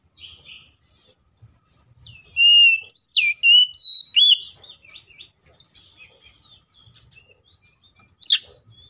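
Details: Oriental magpie-robin giving a loud, full fighting song with rich varied phrases, used as a lure to make other magpie-robins sing: bright whistled notes with rising and falling slurs in a burst of phrases mid-clip, then softer scattered chirps and a sharp final note.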